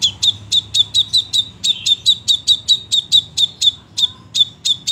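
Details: Crimson sunbird delivering a fast, steady string of piercing high chip notes, roughly four per second, slowing slightly near the end, over a quiet low hum.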